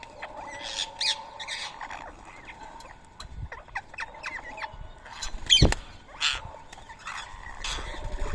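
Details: At a Coimbatore, India, feeding spot, rose-ringed parakeets eat soaked boiled rice on the morning of 31 March 2024. Repeated bent, screechy chirps from several birds overlap, broken by a sharp knock just past five seconds.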